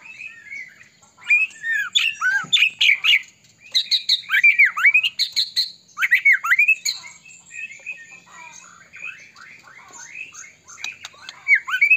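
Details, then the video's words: Medan-type white-rumped shama in steady full song, packed with varied fill notes, played to provoke other shamas into singing. Dense run of looping whistles, downslurs and quick chirps, nearly unbroken, with a brief softer lull near the end. "murai batu gacor AMPUH buat PANCINGAN murai batu agar bunyi JADIKAN burung murai GACOR & EMOSI"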